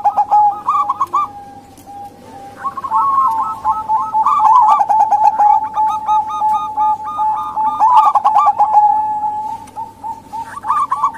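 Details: Female local zebra dove sound for enticing males to call: repeated trills of rapid, rolling coos from several birds, each phrase rising and falling, over a steady hum with scattered clicks.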